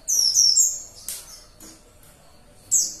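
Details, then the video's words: Warbling white-eye (pleci) firing dashing 'tembakan' song likened to a missile, with no rival present: rapid run of piercing, very high descending whistles, then scattered short chirps and a final bright burst. "BURUNG PLECI GILAKK|| TIDAK ADA MUSUH PUN ,MENGELUARKAN TEMBAKAN DASYAT KAYAK RUDAL"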